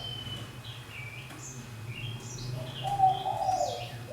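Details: Caged fantail, one year in captivity in a large cage, giving brief high whistled phrases, mostly short slurred notes that dip and rise, followed by a lower, louder whistled note, over a steady low hum.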